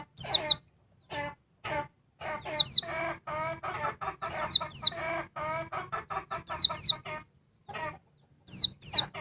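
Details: A noisy female oriental white-eye working up a male: occasional paired high, falling whistles are mixed with a long run of dense, buzzy, harmonic chattering notes in the middle.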